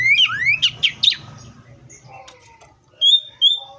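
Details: Oriental magpie-robin song fragment: a rising swoop and three quick sharp chirps, then softer scattered notes and two clear level whistles near the end, over a low rumble.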